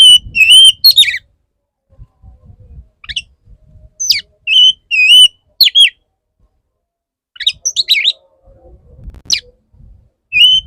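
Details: Oriental magpie-robin male singing to court a restless female, clear whistled phrases with wavering slurs and steep rising sweeps, delivered in bursts separated by short pauses, over a faint low hum.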